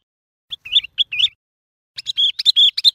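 Sooty-headed Bulbul giving two bursts of bubbly, chirping notes at mid-high pitch, the second phrase faster and fuller; no other sounds.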